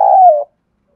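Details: Spotted dove in the Thổ voice style, calling and cooing, with decoy birds answering all day: a single smooth, low coo note just under half a second long, drifting slightly downward before stopping abruptly, then silence.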